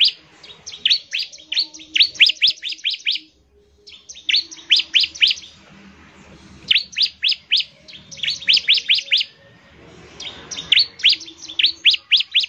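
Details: Energetic ciblek, or bar-winged prinia, song played to make other prinias start singing: long rattling bursts of quick, high, sharply dropping chips, each volley lasting a few seconds with short silences between.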